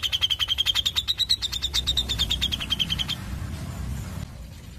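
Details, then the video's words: Grey-cheeked Bulbul gives a fast, tight run of high, sharp chips for about three seconds, holding a nearly steady pitch, over a low background rumble. "CUCAK JENGGOT Ngepik Rapat"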